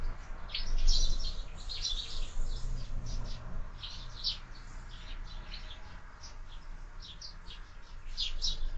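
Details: Sparrows at a window feeder on a morning keep up quick, irregular chirping, several notes per second, bright and clipped, over steady low background noise.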